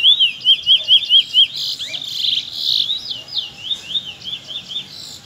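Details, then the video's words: Afternoon song from young Trinidad bullfinches. A crisp series of rising whistled notes repeats rapidly, then breaks into a denser, buzzier warble of overlapping chirps. Low background hum is heard throughout. "afternoon close shy (trinidad bullfinch)"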